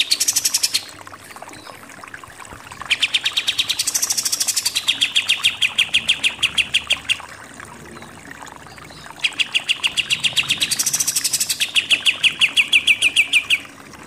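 Pied triller singing bouts of rapid, high trills that drop from a shrill start to a steadier, lower rattle. Three bouts are heard, each lasting a few seconds.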